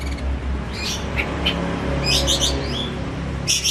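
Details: Home-kept caged oriental magpie-robin singing as a lure for a silent bird: brief high chirps, then a dense cluster of sweeping whistled notes and a final burst, all above a constant low droning background.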